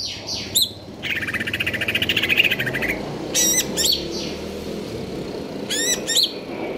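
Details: Greater green leafbird of KLO type in stable condition, singing the konslet kejer nembak style: quick high chips, then a long buzzy rattling trill for two seconds, followed by spaced, sharp, descending whistled notes.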